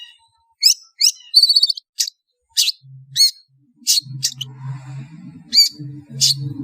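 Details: Lure call of a long-tailed shrike meant to draw birds together: clipped high chips and a brief rattling trill, repeated irregularly over a steady low hum in the second half.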